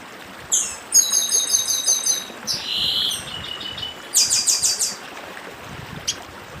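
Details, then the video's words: High-pitched song of a northeastern chestnut-bellied seed finch: a lead note, a fast series of bright repeated notes, a buzzy section, then another quick trill and a short final chip, over stream sounds. "Papa Arroz Dedim com Som de Riacho (Papa arroz do Nordeste)"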